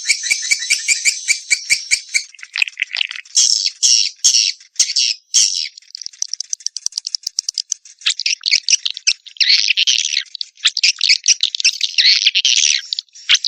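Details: Swiftlet mating call used to attract swiftlets: dense, rapid clicking rattles and buzzy twittering chatter in long bursts, almost continuous, with brief pauses.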